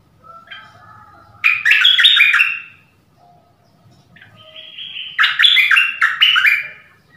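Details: Decoy dok taeng bird in the forest calling a mate: two loud bursts of tumbling, chattering chirps about four seconds apart, each introduced by a softer whistled note.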